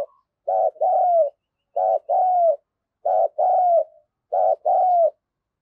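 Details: Spotted dove decoy cooing to lure wild birds: low, mellow two-part coos, a short note followed by a longer slurred one, repeated about every 1.3 seconds in a steady rhythm with silence between.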